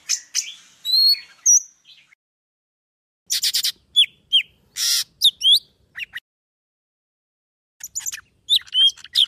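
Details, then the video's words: Vietnamese golden-fronted leafbird singing a trapping lure song: scattered bursts of high squeaky chirps, buzzy rasps and quick slurred whistles, separated by silent gaps of a second or more. "Tiếng Thanh tước Việt Nam"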